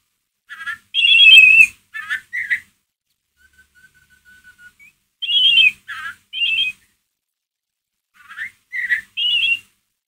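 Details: White-rumped shama in ngeriwik mode, a lure to provoke another shama: scattered groups of loud chirped and buzzy notes separated by pauses, with a faint thin descending whistle in the middle.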